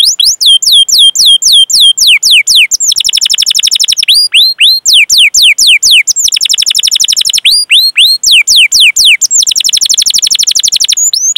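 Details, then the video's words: Long 'cuit cuit' rolling canary song, meant to prompt young, untrained or silent canaries: rapid trills interleaved with repeated downward-swooping whistled phrases. "Masteran Suara Burung Kenari Gacor Panjang cuit cuit Ngerol untuk Pancingan Kenari!"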